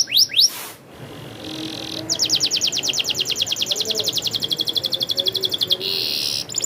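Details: Canary song with a long, fast rolling trill of high repeated notes lasting several seconds, preceded by a couple of swept notes and ending in a buzzy phrase.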